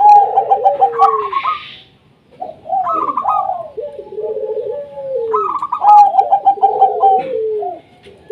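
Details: Local zebra dove song meant to get quiet doves singing: repeated phrases of soft, quavering coos dropping in pitch, each phrase followed by a brief gap, close and clear with slight room echo.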